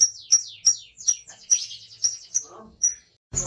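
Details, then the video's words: Lovebird in full ngekek song, singing with beak open: a string of shrill, high chips about three a second with buzzy slurs between them, ending in a sharp clatter. "LOVEBIRD GACOR NGEKEK BUKA PARUH"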